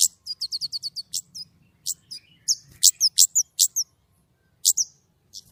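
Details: White-rumped shama in lively, clear song: a fast run of about seven sharp rising chips, then varied loud whistled notes and slurred phrases, with a faint low hum beneath.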